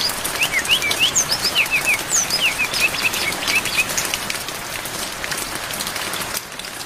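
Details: Brown-chested jungle flycatcher training song rich in fill-in phrases, recorded with rain: a fast run of sharp, slurred whistles and chips for about four seconds, then mostly rain hiss.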